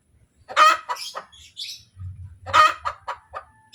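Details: Hen cackling 'kotek' after laying: two harsh squawking bursts trailing into short clucks, separated by high chirping from other birds and a low murmur.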